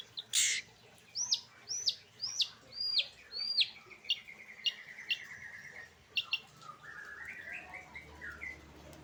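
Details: Long-tailed shrike singing in the late afternoon; a series of sharp, down-slurred high notes repeated about every half second, then a quick rattling trill and softer warbled phrases, over faint background noise.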